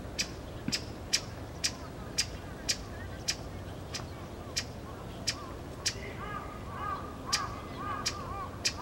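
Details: Pale thrush calling in the plum grove at Osaka Castle, Japan, on 14 February 2015: short, sharp ticking notes repeated roughly twice a second, with softer arched, lower-pitched calls joining near the end.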